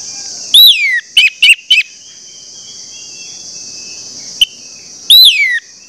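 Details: Orange-headed thrush song used as a lure for other orange-headed thrushes: a loud descending whistle, three quick clipped notes, a lone click-like note, then another long downward-sliding whistle, over constant faint hiss.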